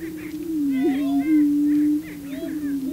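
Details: On a booming ground, male prairie chickens perform antics to attract a female: a sustained low moaning boom holds steady while rising whoops and chattering cackles overlap it.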